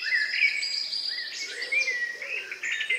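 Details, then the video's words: Evening countryside birdsong on May 2, 2020, near 9 p.m., minutes before night, from the last birds still singing. Bright, tangled whistles and chirps overlap continuously, some sweeping upward, above faint low rounded notes. "relax sound of bird in the evening"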